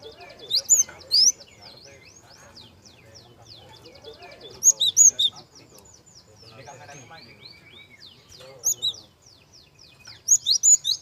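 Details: Java sparrow singing softly as a lure to get young birds singing. Fast, chattering high notes form a continuous twittering background, interrupted by four loud groups of bright, squealing chirps spread across the stretch.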